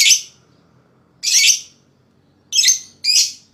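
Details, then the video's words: Lovebird, played to trigger 'ngekek' chattering in other birds: four separate shrill, raspy bursts, the final two in close succession. "Suara LoveBird Terapi,Rangsang Lawan Cepat Ngekek,LoveBird Ngekek Gacor"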